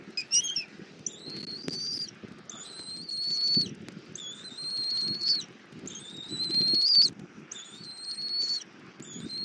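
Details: Young bald eagle on a Southwest Florida nest, morning of 24 February 2024, fed by its mother for over 40 minutes on an armadillo; about six high whistled notes, each slightly rising, roughly every one and a half seconds, with soft rustling below.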